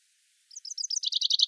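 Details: Common chaffinch song phrase: spaced bright chirps that accelerate into a fast, even, trilling series of lower notes, with no other sounds.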